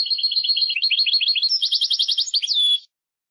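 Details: European goldfinch singing one lively phrase of quick, high chirped notes that speed up into a dry buzzy trill and end in a clear downward slur. No other sounds.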